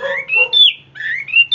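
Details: Hwamei kept as a captive songbird, performing the ôm cóng song style: loud, pure whistles that climb in steps and end in a sharp high note, repeated twice over a faint low hum.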